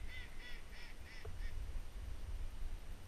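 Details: Wild ducks at first light in North Carolina, where mallards, black ducks, teal and wood ducks gather: a run of five nasal, evenly spaced quacks over deep, steady rumbling background noise.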